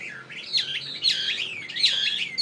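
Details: Tame fighting Chinese hwamei of northwest Vietnamese origin, kept in Saigon, pouring out three loud looping whistled phrases that dip and rise sharply, each about a second long.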